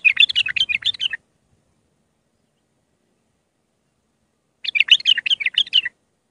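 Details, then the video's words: Iraqi bulbul of Mandali stock, singing to train young bulbuls: two fast, rippling, chattering phrases of about a second each, separated by three and a half seconds of quiet. "تغريد بلبل عراقي خام مندلاوي راقي ساعة كاملة التعليم افراخ البلابل"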